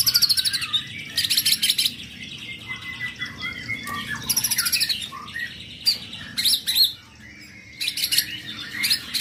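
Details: A young white-rumped shama pours out varied song: loud, high, scratchy bursts alternate with lower whistled notes, with a brief quiet gap before another harsh, high burst.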